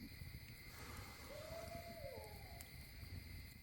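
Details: Barred owl calling in the Appalachian woods in early fall, heard at a backcountry campsite: a single faint drawn-out hoot rising slightly then sliding down, over steady insect trilling and low rumbling background noise.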